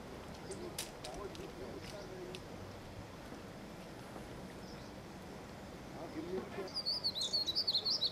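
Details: A female chestnut-bellied rock thrush sitting in Landour, India, gives a quick burst of high, thin chattering notes near the end, after a long stretch of quiet background hiss.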